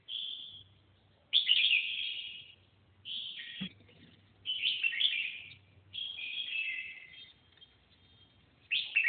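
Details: A red-whiskered bulbul (Pycnonotus jocosus) sings short, bubbly warbled phrases, each about a second long, with brief pauses between.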